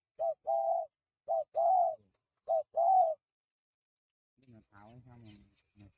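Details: Free-range spotted dove in cooing practice gives three two-part coos, a brief hoot then a longer wavering one, spaced roughly 1.2 seconds apart, followed by a person talking near the end.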